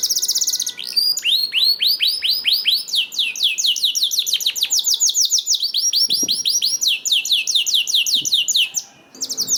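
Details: Extended canary song used to spur other canaries to sing: a long run of fast repeated arched high notes whose tempo shifts between phrases, broken by brief gaps.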